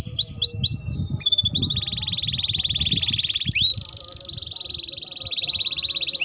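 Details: Canary song used as a lure and tutor for young canaries: a few quick high sweeps, then long steady buzzy rolls that drop into a brief pause before resuming, over low background rumble.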